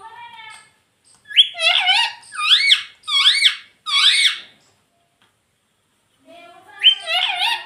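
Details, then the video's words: Domestic rose-ringed parakeet repeating speech-like words, apparently "Mummy Papa": four clear, arching syllables in quick succession, each with a sharp rise and fall, then a pause and another similar phrase; a faint murmur is at the start. "Mummy Papa Bolunga || Talking Parrot"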